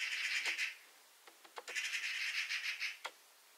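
A Eurasian magpie gives a harsh, rattling chatter in two dry bursts, with a few sharp clicks between them.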